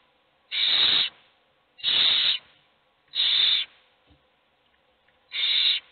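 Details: Hungry owl chicks in a nest box, several begging for food while only one is fed: four harsh, breathy hissing screeches, each about half a second long, spaced roughly every one to two seconds against a quiet background.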